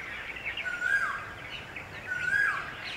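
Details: A gang of red-vented bulbuls revels in a summer puddle, flapping in to bathe and drink in the heat; two steady whistles, each dipping at the end, stand out against soft chirping from other birds.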